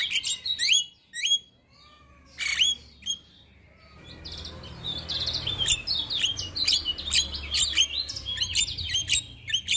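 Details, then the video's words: Male Javan myna singing energetically in the morning, a full fill-in tutor song: quick high chirps and slurred whistles in bursts, a near-silent pause, then a dense run of sharp clicking notes over faint low rumble. "Masteran Jalak Kebo Pagi Hari Jalak Kebo Jantan Gacor Full isian"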